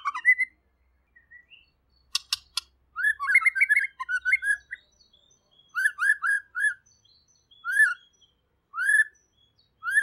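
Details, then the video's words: Chatty, clear-voiced white-rumped shama known as murai pastor sings clicks and a dense whistled phrase, then repeats short rising whistled notes at steady intervals. "MURAI PASTOR | GACOR DAN JERNIH"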